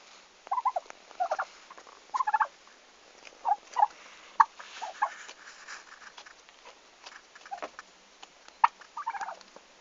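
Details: On arrival day at a farm, 11 August 2015, the farm's first turkeys utter frequent short, rasping call bursts, often in pairs, scattered irregularly through the recording amid light clicks and handling noise.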